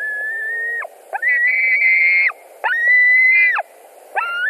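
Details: White-tailed eagle nest in Latvia, summer evening of 17 July 2020, during a fish handover between two birds. Thin, whistled wails, some stepping up in pitch, come in spaced bursts over a steady low hum.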